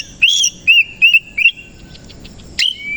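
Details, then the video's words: Morning song of an Oriental magpie-robin, a black-and-white male-type kacer: a run of four or five loud slurred whistles, then a quiet gap and a sharp note sliding into a thin whistle. "KACER KOCI NGEBYAK BUKA EKOR DI PAGI HARI"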